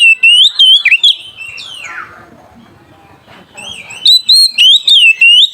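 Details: Oriental magpie-robin (kacer), an in-form bird singing to call a rival, used as a training lure. Loud, bright whistled phrases and a long downward slide, then a lull of soft twittering before rapid whistled notes resume.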